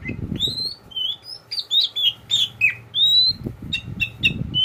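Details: Kacer poci oriental magpie-robin, a tame pet bird, singing loud drawn-out whistles and slurred notes in quick phrases, with low rustling or flapping noise at the start and end.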